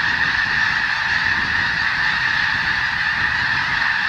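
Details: Snow geese in a flock of several thousand on a Skagit Delta wheat crop in Washington State, being herded off with crackers. Constant chorus of shrill, overlapping honks, thick and unbroken.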